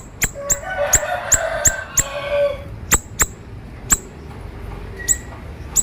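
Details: Siri-siri bird in a recording meant for training other birds, described as singing vigorously with a sharp voice: short, very high, sharp downward-hooked chips at irregular intervals, with a faint murmuring lower sound in the background early on.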